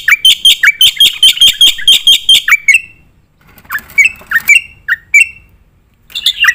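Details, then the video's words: Training song of a black-winged myna for competition birds: a fast, regular string of loud shrill notes, silence, then scattered single squeaks and a final burst. "jalak putih gacor full nembak isian"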